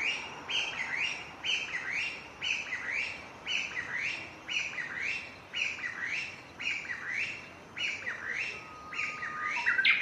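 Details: Japanese bush warbler repeating its song on 6 May 2017, recorded on a Panasonic DC-FZ85: a long rhythmic series of paired high, down-slurred notes, about two per second, with a faint low whistle near the end.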